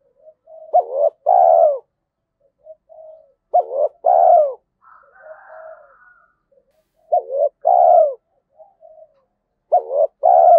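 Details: Spotted dove, Thúc Đấu style 'giọng thổ' voice fit for forest trapping, cooing steadily: four phrases roughly every three seconds, each a short hiccuping hoot pair and a long falling coo, with low muffled notes between phrases.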